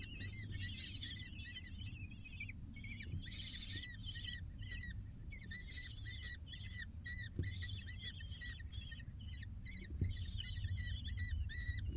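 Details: Six falcon chicks begging as they are fed at the nest, seen on a live bird cam: a dense, steady chorus of harsh, arched, rasping squeals overlapping throughout, with a low background rumble.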